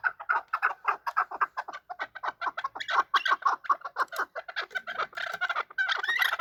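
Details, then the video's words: Chukar partridge (chakor), described as a hunter chakor, calling while fighting; dense runs of harsh clucking chuck notes repeated several times a second, with overlapping callers throughout. "Chakor fighting and making voices / chakor ki awaz / chakor calling / chakor voice"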